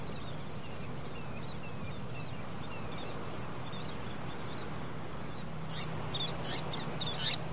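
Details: Piping plovers at Plymouth Beach, Plymouth, Massachusetts, in 2011, giving faint soft piping notes that build to a few louder clear whistled calls near the end, set against steady low beach surf and wind.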